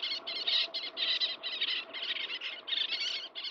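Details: Little tern feeding its chicks, giving harsh, grating high notes in quick successive bursts with hardly a pause between them, over faint low background noise.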